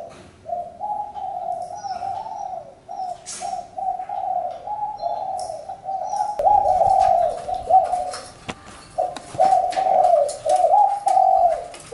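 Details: Spotted dove repeating low, throaty coo phrases in a long rhythmic series, roughly two per second within each phrase. Faint high chirps from other birds, and a few soft clicks and knocks.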